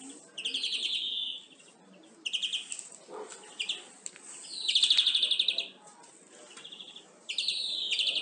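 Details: Song of a European greenfinch used to train captive birds: repeated rattling trills and twittered phrases, each lasting about a second, separated by short gaps, with a loud, evenly pulsed rattle midway.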